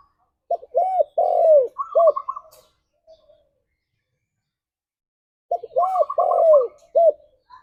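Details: Spotted dove singing in gacor style at morning to stimulate mating; a cooing phrase of four notes capped by a bubbly trill, repeated twice about five seconds apart, with quiet between.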